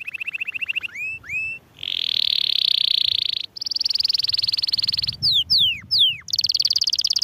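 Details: Canary singing in varied tours: a rapid rattle, rising whistled notes, long dense buzzy trills at two pitches, then steep descending whistled sweeps and another fast trill.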